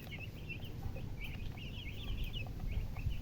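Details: Chicks of the chicken peeping: rapid bursts of short high chirps, some slurred and clustered, over a strong low background rumble.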